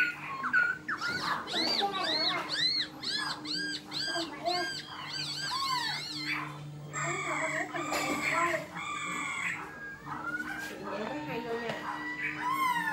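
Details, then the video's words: Black-throated laughingthrush giving fighting song: dense run of loud, ringing whistled notes with rich overtones, repeated quickly for about six seconds, then rougher, scratchier phrases; a steady low hum runs throughout. "Khưu mun hót đấu"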